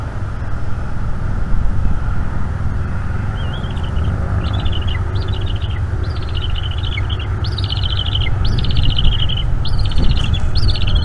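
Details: During an evening feeding on 5 May 2021, a bald eagle eaglet at a northeast Florida camera nest chatters. Quiet at first, then high stuttering phrases grow more frequent and some begin with upslurs, against constant low rumble.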